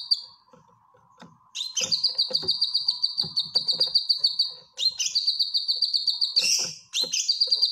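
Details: Training song of a grey-cheeked bulbul (cucak kinoy) for caged birds: sustained high trills of fast repeated notes in three runs, separated by short breaks and sharp clicks.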